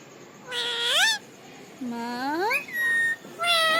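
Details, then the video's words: Pet ringneck parakeet speaking words: three drawn-out voiced syllables with rich harmonics, each sliding upward in pitch, separated by short pauses, plus a thin whistle between them. "Ringneck talking parrot"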